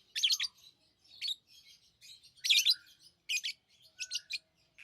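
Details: Pet lovebirds give sharp, scratchy high chirps in irregular bursts about every second, some notes louder and grating, in an otherwise quiet setting.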